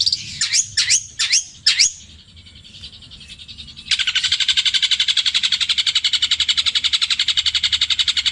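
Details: Long-tailed shrike from Situbondo, Java, with a 'petir KW' mimicry repertoire of tengkek buto, kuntilanak and greja: four sharp, high, down-up swooping notes, a short quiet gap, then a long, steady, rapid rattling trill of nearly three pulses a second.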